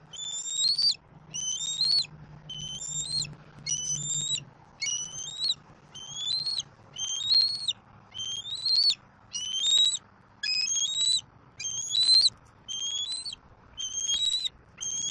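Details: Persistent begging from a young bald eagle on a Southwest Florida nest in April 2024, demanding fish from its father; around sixteen short, shrill rising squeals, close to one per second, with a faint low hum early on.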